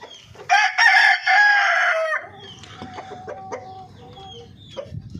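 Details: Golden Misri rooster crows loudly for about one and a half seconds in broken harmonic phrases, followed by soft clucks, faint small-bird chirps and low background noise.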